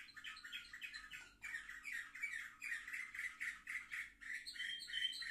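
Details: Seven-month-old canaries from 2023, filmed on 10 November 2023, singing indoors: a fast, unbroken chatter of high chirps and trills, several notes a second, rising to sharper whistled notes toward the end over a faint low hum.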